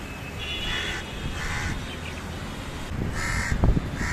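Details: House crow nesting outside an apartment with five eggs, calling a series of four harsh, clipped caws spaced roughly a second apart against constant low traffic roar and a brief knock.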